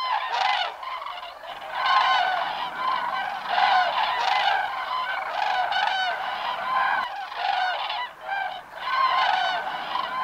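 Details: A migrating crane flock calls in flight with rolling, trumpet-like notes from many birds, coming in waves of louder bursts over a constant background of overlapping calls.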